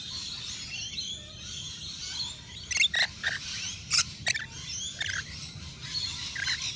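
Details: Rainbow lorikeets at a balcony nectar feeder, native Australian birds; a quiet hiss of chatter, then a cluster of loud sharp screeches around the middle, followed by softer squeaky notes.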